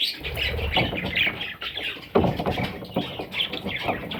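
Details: Young parrots giving harsh, scratchy squawks and shorter chirps in an uneven stream, one louder rasping burst midway, with faint low background rumble.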